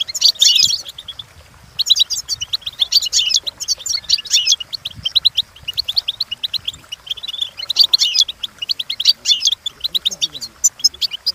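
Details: Goldfinch song used to train the bird: long runs of quick, high, metallic twitters and trills, with a loud burst at the start and steady chattering phrases throughout.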